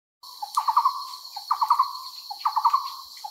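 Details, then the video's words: Indochinese barbet in Cambodia, filmed through a telescope: mid-pitched hollow notes in quick rolling bursts of about four, each burst introduced by a softer lower note and repeated roughly once a second. "Indochinese Barbet Call"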